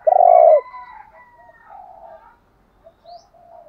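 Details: Decoy recording of a spotted dove meant to attract other doves: one loud, low, throbbing coo, followed by faint trailing coos and a thin, high whistle-like tone.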